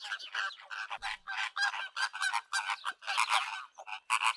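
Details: Crowd of flamingos giving busy, overlapping nasal honks and grunting gabbles, a steady stream of short calls from many birds.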